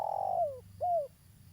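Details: Local spotted dove, described as a lively, persistent caller suited for use as a trapping lure. It gives low, mellow cooing: a long steady note that slides downward, a brief pause, then a second arched, falling coo over a faint low rumble.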